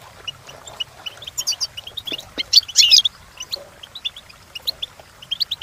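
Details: Goldfinch song for training: scattered high chirps and twitters, a dense trilled burst near the middle, two sharp clicks, then more spaced tinkling notes.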